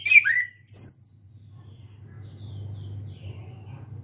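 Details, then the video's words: Young caged orange-headed thrush learning to sing, still shy but starting to call often: two sharp, bright whistled notes sweeping downward within the first second, then near silence over a steady low hum. "ANIS KEMBANG BELAJAR NGEPLONG"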